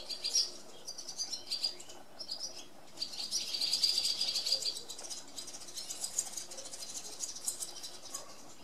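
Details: Barn swallow chattering continuously in rapid, high, scratchy twitters, about four notes a second, swelling in the middle and easing toward the end.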